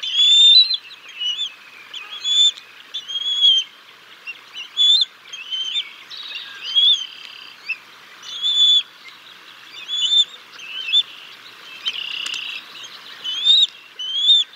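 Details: Decorah North bald eagles at dinner on 6 May 2022, with the father feeding a fish to the chicks: a long series of short, high, whistled peeps repeated at an uneven pace, with a brief rustle midway.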